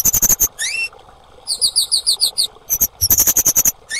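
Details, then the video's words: A female orange-headed thrush gives a fast series of very high, piercing chips, then a rising slurred whistle, then a rhythmic run of doubled notes; used as therapy to stimulate silent or stressed birds to sing. "Suara Terapi KEMADE BETINA - AMPUH Memancing bunyi semua burung kemade bahan yang bisu stres macet"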